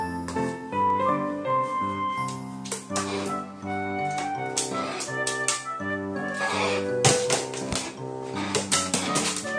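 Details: Busy organ and band music plays throughout, and no animal voice stands out.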